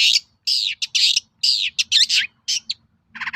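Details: Long-tailed shrike song, played as a lure to make other shrikes answer: harsh, buzzy, slurred notes of about a quarter second in irregular bursts, ending in a short scratchy chatter.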